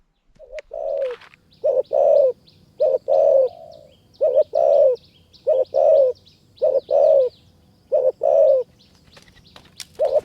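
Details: A wild spotted dove that answers quickly, facing a caged decoy in high mountain forest near Kanchanaburi, Thailand: deep, hollow paired coos repeated every second or so, with scattered faint rustles and a few sharp clicks.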